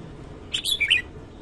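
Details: Red-whiskered bulbul singing in the morning, a brief jumbled phrase of several whistled notes with a bouncing rhythm, somewhat blurred by background noise.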